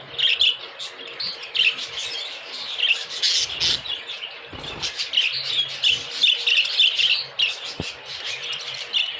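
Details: Exhibition budgerigars in breeding season chatter with continuous high, scratchy warbles and chirps.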